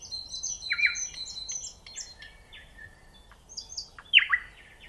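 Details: Nightingale singing in a varied mix of high whistles, warbled notes and chirps, some sliding downward, with a louder buzzy phrase near the end over faint background noise.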